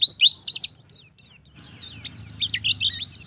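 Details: Oriental white-eye, a wild pleci ngalas, singing as a lure to draw replies from other white-eyes; dense, very high twittering with sharp upward and downward slurs, briefly pausing before a continuous run of warbled notes.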